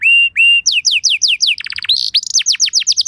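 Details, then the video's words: Canary singing on a lure ('pancingan') recording to prompt canary replies: two long flat whistles, a run of descending slurs, a brief rattle, then quick rising chirps. "Bakal Langsung Nyaut Burung Kenari Kondisi Apa Saja Dengan Pancingan Kenari Lagu Mewah Ini"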